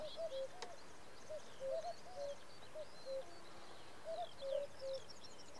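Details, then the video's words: Three male common cuckoos give an evening chorus in June 2017, Samara region, their low two-note falling 'cu-coo' overlapping unevenly, while small birds twitter high in the background. "Хор кукуев"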